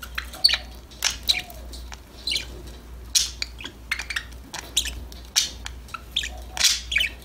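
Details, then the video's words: Pet budgies chattering, an irregular series of quick clicks and short bright chirps, some louder squeaky notes near the end, over a steady low hum. "Your #budgies will start chirping, talking, playing after listening these #parrot #bird sound"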